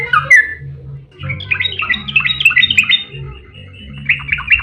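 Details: Yellow-vented bulbul with excited 'ropel' song used as a lure for other bulbuls: a brief opening note, then a dense babbling chatter of overlapping bright notes.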